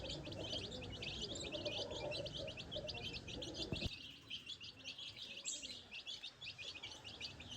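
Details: Tiny baby chicks foraging on a farm, exploring grass and scratching the ground as they learn to find food without a hen; dense, rapid high peeps overlap continuously, with low murmuring sounds during the first half.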